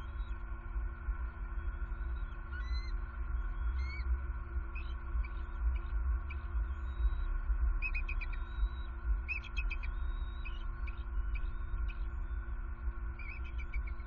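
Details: Bald eagles, a fledgling and its mother perched side by side at a southwest Florida nest on a foggy morning on fledge day, 14 April 2021; scattered high, thin chirps and short squeaky notes in loose bursts over a constant electrical hum.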